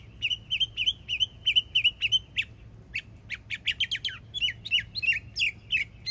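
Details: Yearling Northern mockingbird singing in Florida: a quick series of repeated whistled notes at one pitch, then a burst of sharp, varied chips and slurred syllables.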